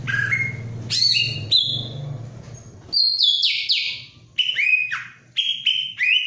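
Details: Greater green leafbird in breeding mood, eager to mate: loud, clear whistled notes sliding down, then a run of bright whistles each ending in a downward slur, with a low hum beneath the opening seconds.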